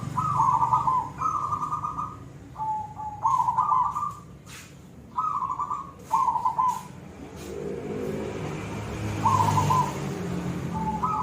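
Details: Zebra dove of the silver type singing the koong style: six trilled, rattling coo phrases near the same pitch, some ending in a lower flat note, with sharp clicks between phrases and a low background hum.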